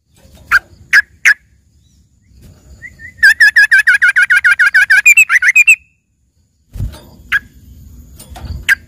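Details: Yellow-vented bulbul with filler song copied to resemble a singing green leafbird: three sharp chips, then a long, rapid, even trill of bright notes lasting over two seconds, and scattered chips over low rumbling background.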